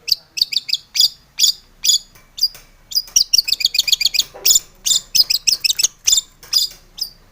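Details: Long-tailed shrike singing energetically to prompt other shrikes into song; dense high scratchy chirps delivered in rapid clusters separated by brief pauses.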